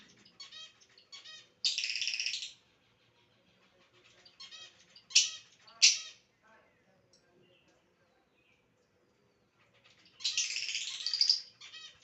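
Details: Lovebird kept as a pet, whistling in a funny mood: broad grating squawks of about a second each, clusters of quick chattering notes between them, and two sharp loud shrieks midway before a long final rasping squawk.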